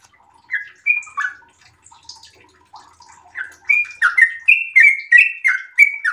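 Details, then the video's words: Sooty-headed bulbul in breeding condition: a few scattered soft notes and low chatter, then the song builds into a rapid series of bright, slurred whistles in the 'ropel' style. "trucukan gacor birahi ropel super panjang"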